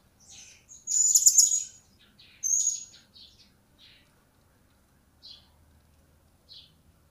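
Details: Captive blue-crowned hanging parrot, recently acquired and starting to sound off, produces a loud buzzy high chirp, then a second sharp note and a string of fainter scattered ticks.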